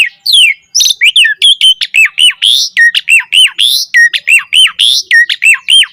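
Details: Energetic Black-collared starling song full of mimicry, meant to spur other starlings into singing: after a few mixed notes, a rapid, rhythmic string of similar hooked whistles with harsh overtones, about three each second.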